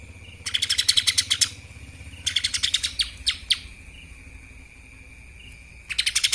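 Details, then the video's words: Lesser green leafbird in kapas tembak song style: repeated bursts of fast, high, rattling chirps about a second long, separated by pauses, with a steady high-pitched tone running behind. "CUCAK ijo mini Fulll suara KAPAS TEMBAK"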